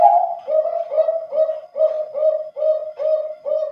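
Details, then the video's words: Thick-voiced competition zebra dove of the Bangkok line, from Wajo Sengkang, South Sulawesi, Indonesia. A long opening coo leads into about eight short, mellow, evenly spaced coos, loud and clean against a quiet background. "SUARA TEBAL PERKUTUT BANGKOK TRAH LOMBA"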